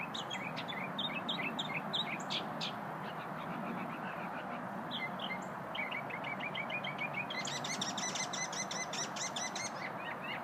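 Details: A little feathered singer encountered during a lunch break: a lively, varied song of high, sharp chirps, which gives way to a fast, bright, tinkling trill of rapidly repeated notes. A constant rushing background noise runs underneath.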